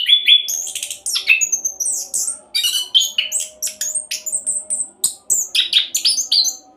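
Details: Orange-headed thrush in fast 'roll' song, used as a lure to get other birds singing: dense run of varied whistled and buzzy phrases, high sweeps and rapid chattering notes, with a steady low hum underneath.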